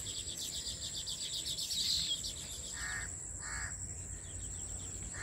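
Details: Weaver birds calling at a colony while building many nests in a farmhouse tree: high chirping chatter, then short harsh buzzy notes a second apart, over a steady high-pitched insect drone.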